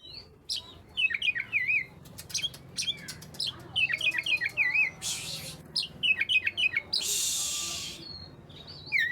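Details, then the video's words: Oriental magpie-robin song, used to prompt quiet magpie-robins to sing: rapid varied whistled and chattering phrases, some sharp clicking notes, broken by two short bursts of harsh hissing noise. "burung Kacer yang males bunyi pasti ikut gacor 100%"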